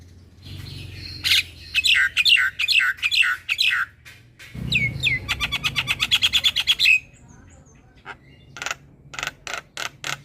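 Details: Song of a black-winged myna, a masteran to train young mynas to sing: repeated buzzy chattering phrases, then a fast rattle of clicks, followed by sharp separate clicks over a low hum.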